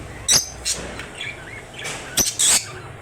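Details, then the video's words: An African lovebird gives sharp, shrill chirps, two near the start and two more later, with softer twittering notes between them. "African Love Birds Sounds"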